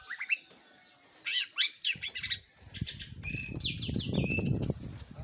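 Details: Long-tailed shrike singing busily, with scratchy chirps, a few loud harsh bursts and short flat whistles over a steady low background rumble.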